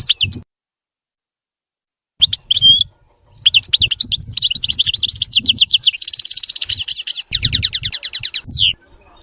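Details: Clean, error-free song of a European goldfinch: a short twitter, a pause, then a long run of rapid, chattering high notes, a buzzy trilled stretch and a final descending slurred note, with faint low thumps underneath.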